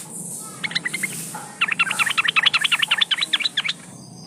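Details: Female yellow-vented bulbul in breeding condition calling to males, played as a lure: a short burst of bubbly notes, then a dense run of quick, sharp chattering notes for about two seconds over a low background hum.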